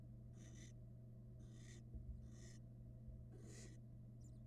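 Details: Two barn owl nestlings in a nest box on a Florida camera, 2022, eating rats side by side; four breathy, hissing bursts spaced about a second apart, over a constant low electrical hum.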